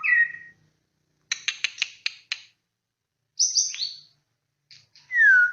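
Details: White-rumped shama pancingan recording: a whistled downslur, a quick burst of five sharp clicking notes, a high buzzy rattle, then a loud clear descending whistle, separated by short silences.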